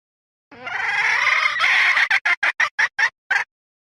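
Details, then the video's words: A hen gives a long, hoarse, slightly rising squawk for about one and a half seconds, then a quick string of seven short, clipped clucks. "poj qaib seev"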